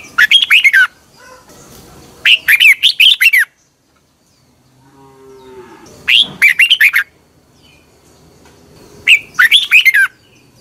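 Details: Red-whiskered bulbul morning training song, 2021: four loud warbled phrases of quick rising and falling whistles, about three seconds apart, with a faint low mooing sound heard in the background between phrases.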